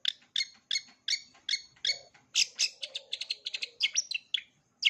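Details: Long-tailed shrike song, offered as a full repertoire for young birds to learn: a series of harsh, chattering notes repeated about every third of a second, then faster mixed chirps and short scratchy bursts.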